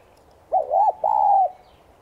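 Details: Spotted dove of the tigrina subspecies, a lure bird giving its morning calling coo in the 'son' voice style: two mellow coos, the first dipping and arched, the second a longer, nearly level hooting note, in a quiet background.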